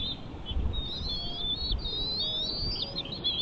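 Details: Bald eagle calls at the nest with chicks: a faint run of high, thin whistled notes, smoothly wavering, over steady low background hiss.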